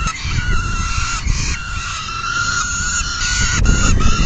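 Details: At a peregrine falcon nest, 10 June 2022 in the afternoon, a full feeding is under way; a sustained, level crying note runs almost the whole time with a couple of short interruptions, low booming noise beneath.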